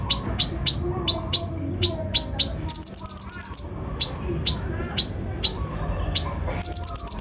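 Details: Brown-throated sunbird lure song, full of rough fill-ins, played to stir up other birds; evenly spaced high, sharp downslurred chips, broken by a brief buzzing trill and then more chips.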